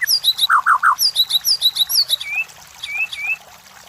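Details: Lure song of a white-rumped shama for stimulating contest birds: rapid run of sharp, high chirps alternating with lower rounded notes, about three per second, ending in a few softer down-slurred whistles.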